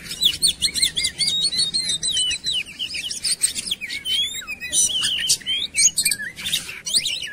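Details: Oriental magpie-robin song used to lure birds into singing. A quick run of evenly spaced chips gives way to long, wavering whistles and then loud, buzzy bursts with sharp upswept notes.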